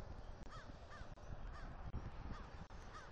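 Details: Vocalizing eagles, a male with a new mate, during mating at their Southwest Florida nest on a morning in early October 2023. Quick, slurred, rising-falling squeals repeat about four times against heavy wind noise.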